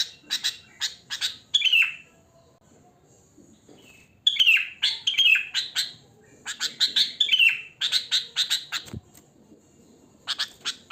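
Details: Natural wild song of a sooty-headed bulbul, free of other birds' phrases, used as a lure: rapid clicking chirps break into liquid, falling warbled notes, in three lively bouts with brief silences between them.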